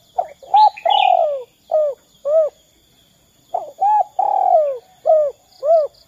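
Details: Spotted dove calling, used as a lure to set other doves calling, a repeated pattern of short rising-and-falling coos with a longer drawn-out falling coo, the phrase given twice with a brief pause between.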